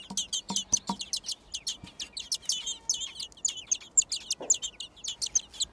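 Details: Six yellow-gaped thrush chicks in a garden nest beg during feeding, producing a steady, rapid series of high, scratchy squeaks with a few low thumps early on.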